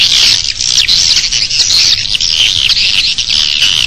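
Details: Swiftlets at a bird nest, external recording: constant high-pitched twittering from many birds, rapid wavering chirps running together without pause.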